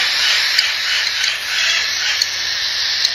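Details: A brood of one-month-old cockatiel chicks, bred in Tokachi, Hokkaido, keeps up its 'jaa-jaa' chick-stage begging: a steady, harsh, breathy rasp with no pauses and small rhythmic pulses.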